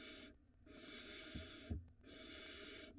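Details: At a barn owl nest in Israel, the father hands a mouse to the mother for the nestling. A rasping hiss, a pause with faint knocks, then two more long noisy hisses follow.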